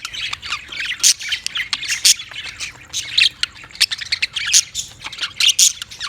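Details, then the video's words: Budgies keep up lively chatter: raspy high squawks mixed with sharp clicks and chirps, rising into louder bursts about once a second. "Funny Budgies Sounds"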